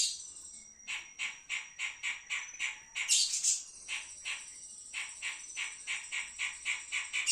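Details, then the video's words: Pied triller song, kept bird: a series of short buzzy chirps near mid pitch repeated about every third of a second, with a steady high-pitched whine running throughout and a brief loud burst midway. "kapas tembak"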